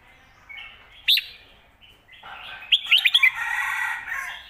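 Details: Red-whiskered bulbul song in the khayao khuat and phat kuai tiao styles for training home birds; a single sharp note, then a quick string of five lively chirps followed by busy softer chatter.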